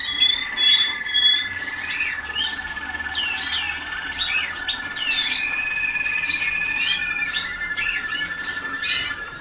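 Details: Young Waterslager canaries a few days into song schooling sing short upward-sweeping chirps about twice per second above a continuous low steady trill, beginning with two clean high whistles.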